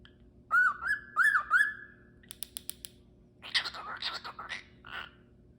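A cockatiel gives four clear, rising whistled notes, then harsh chattering bursts after a few sharp clicks.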